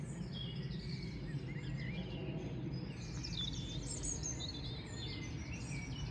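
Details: Wild birds in a little village park: scattered high, thin chirps and short twittering notes from several birds over a steady low rumble of background noise.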